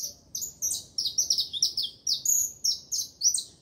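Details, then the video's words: Continuous saffron finch song of high, sharp chirps, each note bright and slightly descending, delivered in a rapid, uneven series of about twelve notes over under four seconds against a quiet background. "canário da terra cantando"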